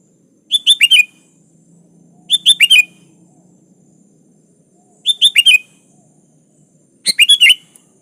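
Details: Vigorous sooty-headed bulbul song directed at a rival; four phrases of four rapid, descending, bubbly whistled notes, repeated roughly every two seconds, over quiet background.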